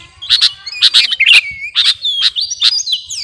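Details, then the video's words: Sooty-headed bulbul of the kutilang garuda type in full voice: short loud chirp bursts about twice a second, linked by thin sliding whistles that rise and fall, on a quiet background. "KUTILANG GARUDA GACOR..!! SIAP TEMPUR KICAUAN"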